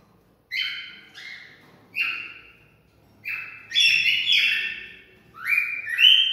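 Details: Cockatiel singing to stimulate mating: short whistled phrases near the upper-middle range, each sliding and buzzy with bright overtones, given in separate bursts about every second, louder and more run-together toward the end.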